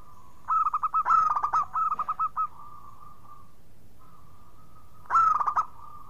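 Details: Singing local zebra dove, a lure to prompt quiet birds, with a clear, loud voice. A dense opening phrase of rolling coos with a harsh middle burst, then a long faint hum and one more short loud roll.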